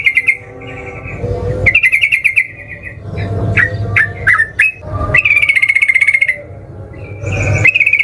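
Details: Sooty-headed bulbul in combative mood, singing to provoke rivals: buzzy rattles alternate with clusters of sharp, slurred chirps, and a long harsh trill runs for about a second near the end.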